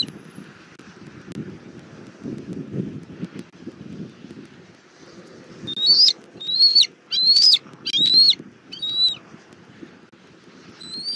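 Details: Southwest Florida bald eagle family on their nest tree, 19 April 2024, late afternoon: after several seconds of low rumbling background, a quick run of five high, thin, upward-inflected whistles, then one faint note near the end.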